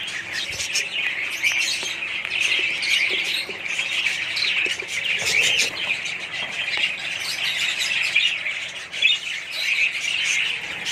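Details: Budgerigars in a colony: a dense, continuous mass of overlapping chirps, squawks and warbling chatter from many birds, steady throughout with no pauses.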